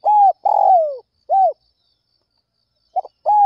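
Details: An early-morning Spotted Dove gives a run of mellow, hollow coos, one drawn out and falling and the others short and clipped, with brief pauses between and nothing else heard.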